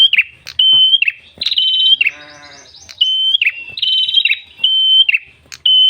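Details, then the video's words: Red-headed tailorbird, a lively singer, in a recording used to lure other birds: loud, clear whistled notes on one pitch, each ending in a drooping flick, repeated roughly once a second, with a brief harsh, buzzy sound mid-sequence. "MASTERAN PRENJAK KEPALA MERAH GACOR SUARA NGALUN ENAK COCOK UNTUK PIKAT/PANCINGAN BURUNG ANDA"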